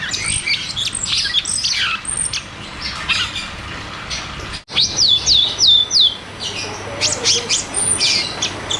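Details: Cucak cungkok in rapid 'ngeroll tembak' style song, used as therapy and a lure for caged birds that have stopped singing: dense high chirps and fast upslurred whistles, with a quick series of rising notes mid-way and a short gap.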